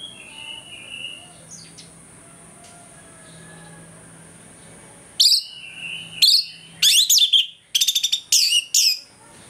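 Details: Orange-headed thrush singing in the morning, used to rouse aggression: a quiet start with faint distant chirps, then sharp, sweeping whistles and rapid trilled, stuttering notes in quick bursts.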